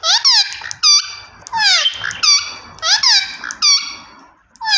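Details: Green ringneck parrot screeching loudly in repeated bursts, each a rough, downward-sliding squawk followed by shorter shrill notes, nearly continuous throughout.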